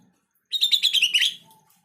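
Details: A single rich phrase of sooty-headed bulbul song, played to draw answers from other bulbuls: a rapid run of bubbly, warbling whistled notes lasting under a second, falling slightly at the end.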